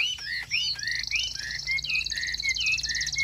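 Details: Caged Chinese hwamei singing clear, mellow slurred whistles that curve up and down, given in an uneven series over a high buzzing shimmer in the background.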